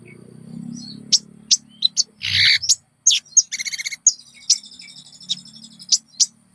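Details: Konin lure song used in training caged birds: scattered sharp high chirps and a rapid trilled burst, with a faint low hum underneath and a brief scratchy noise.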